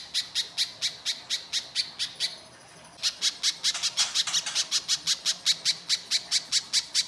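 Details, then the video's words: Little spiderhunter singing harshly, used to entice other birds to sing: quick, high chips, a brief silence, then the same sharp notes resuming faster and louder. "Pancingan Pijantung Pisang Gacor Mbeset Kasar, Pijantung Bahan Langsung Nyaut Bunyi"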